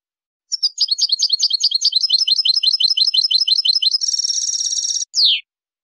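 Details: European goldfinch in loud, continuous song: fast liquid twittering for several seconds, a dense high buzzy trill, then a sharp downward-slurred note.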